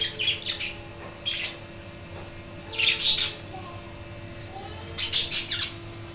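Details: In a wooden cage after their male died, budgerigars utter three loud groups of grating, buzzy squawks about two seconds apart, separated by quieter chirps. A faint constant hum sits underneath.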